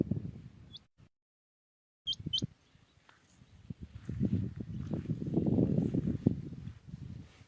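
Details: Common quail singing early in the morning in Pakistan: one sharp high note, a pause, then two quick high notes close together, over steady low rumbling background noise and a brief silent gap.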